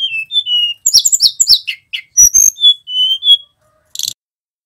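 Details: Male tledekan gunung giving whistled 'nyiul' song. Level whistles lead into a dense run of quick chirps, then more steady whistles, ending with a brief buzzy high burst.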